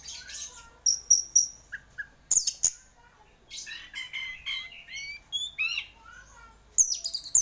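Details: Vigorous song from a champion orange-headed thrush: bright repeated whistles, a few lower slurred notes, then a longer rich warbling passage of rising sweeps and twittering before a loud closing burst.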